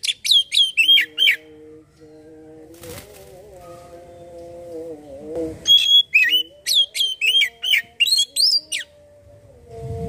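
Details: Oriental magpie-robin (kacer) singing on a lure recording meant to get birds calling. Two bursts of quick, shrill whistled and chirped notes, each about three seconds long, are separated by a pause filled with a low, wavering humming tone.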